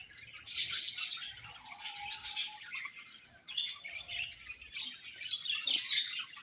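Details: Several budgies chirping in a busy, high-pitched warbling chatter, with two dense bursts of scratchy twittering separated by a brief quieter dip around the middle.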